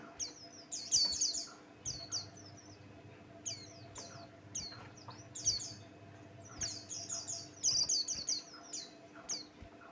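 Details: Buxtoni white-eye, a lively male singing a lure song meant to set other birds singing. It delivers bursts of very high, twittering, sliding notes packed into rapid phrases with short pauses. A low steady electrical hum runs underneath.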